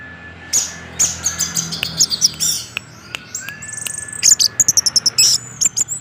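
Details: Orange-headed thrush in continuous 'teler' song meant to trigger other males: very high thin notes, sharp clicks, and a run of rapid, evenly spaced ticking notes toward the end.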